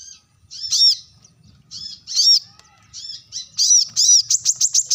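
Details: Brown-throated sunbird giving a sharp call to summon rivals: high, piercing chips in short bursts, some doubled and ringing, ending in a quick series of six rapid metallic notes.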